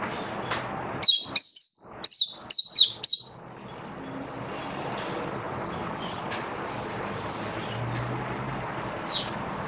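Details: Oriental white-eye in captivity singing buka sing: a quick burst of six piercing, downward-sliding chirps, then only steady rumbling background noise with one faint note near the end.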